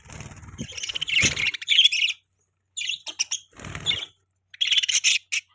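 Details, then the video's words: Budgerigars warbling and chirping in broken bursts, scratchy high notes separated by short silences, with some low thumping noise alongside. "Budgies Chirping Sound"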